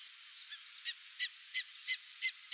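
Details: Greater spotted eagle calling in Satsumasendai, Japan, January 2006, giving a series of short, sharp yelping notes, about three per second and rising in strength, over faint background hiss.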